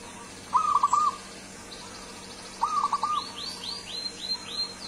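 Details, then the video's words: Local zebra dove of wild origin from Kebumen, singing actively in full voice: two bursts of short, rolling staccato coos about two seconds apart. Another bird adds a run of high, descending whistled notes. "amazing perkutut lokal manggung gacor suara merdu perkutut juara"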